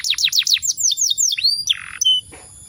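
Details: Canary song with a loud, dominant rolling trill kept for competition and daily tutoring: rapid repeated downward-sweeping whistles, then a rising slurred note, a buzzy burst and a short high whistle before falling quiet.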